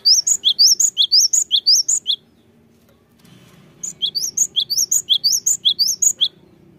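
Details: Cinereous tit song serving as a lure to fire up lazy birds: two long runs of rapid high whistled phrases, roughly two per second, split by a pause of about a second and a half, faint low rumble beneath.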